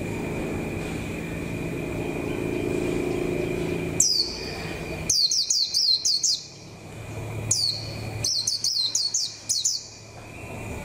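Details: A white-eye used as a lure bird, beginning to come into condition for the 2021 season, sings bursts of thin, very high, rapid twittering notes sweeping downward in quick clusters, over a steady faint hum and distant traffic rumble.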